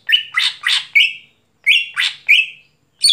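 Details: At night a greater green leafbird repeats a phrase of raspy buzzing notes tied to clear whistled tails, two phrases separated by a short pause, in a quiet setting.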